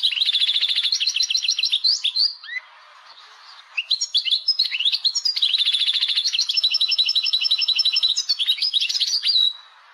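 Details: Caged Algerian European goldfinch singing a tebnija with laglag: long fast runs of repeated high tinkling notes broken by swooping slurred whistles, a short quiet gap near the middle, then another rapid rattling run.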